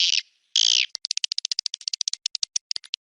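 Swiftlet calls: two harsh, hissing buzzes, then a fast run of about twenty sharp, high clicking chirps in two seconds. No other sounds.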